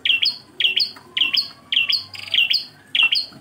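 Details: Engkel song of a Bar-winged prinia, prenjak klawu: high, sharp two-part chirps, clipped then rising at the end, tumbling out in quick succession with brief gaps.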